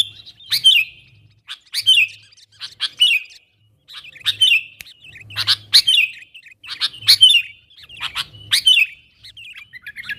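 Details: Sooty-headed bulbul calling to attract wild bulbuls, a lure recording; short bubbly chirp phrases repeat about every second over ten seconds, each opened by a sharp click, with a faint low hum underneath.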